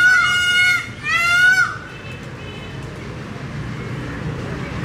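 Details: Peacock giving two quick loud harmonic wails at the start, followed by a quiet stretch of low background noise with a faint distant tone.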